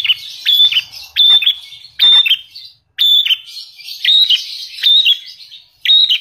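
Lovebird singing shrill, ringing chirps in loud bursts about once a second, its song carrying phrases copied from the Javan prinia.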